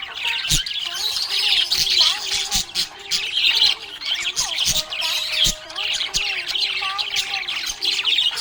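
Budgerigars chatter busily with squawks, clicks and warbled chirps in a steady stream.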